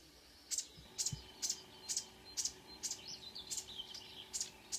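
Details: Marsh warbler at dawn, 5 a.m., June 2009, Kråkstad near Ski, Norway: sharp high clicks repeated roughly twice a second, interleaved with quick warbled twitters, over a quiet rural background.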